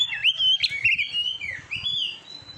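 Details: Short burst of Oriental magpie-robin (kacer) song from a training recording for contest birds: clear whistled notes, one long level whistle and a rising slur.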